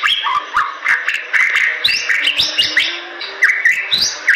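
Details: Bali myna singing in lively gacor style: a busy run of sliding whistles and harsh chattering notes, broken by sharp clicks, over faint low steady tones.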